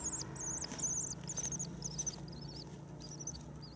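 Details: Common swifts returning on 9 May in spring give high, thin trilled screams. These are loud at first, then weaken as the birds seem to move away, over a low steady hum.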